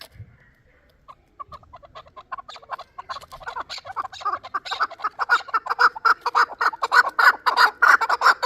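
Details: Chukar partridge, a last-year youngster from Qavoq in Shurobod: after a quiet start, a few isolated chuks accelerate and swell into a loud, rapid, rhythmic chuk-chuk-chuk series.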